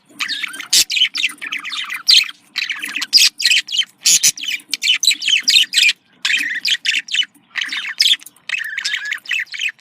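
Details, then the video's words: Domestic budgies, Australian parakeets, calling to encourage mating: rapid chirping warble of short scratchy notes in clusters, nearly continuous, with a faint low hum behind. "dişi muhabbet kuşu kızıştırma sesi erkek muhabbet kuşu kızıştırma sesi"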